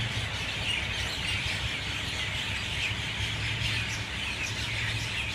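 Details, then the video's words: Many mynas in a loud dawn chorus at 6:20 a.m.: continuous overlapping squawks, whistles and chatter form a steady wall of sound, with low background rumble. "Dawn chorus of Mynah birds"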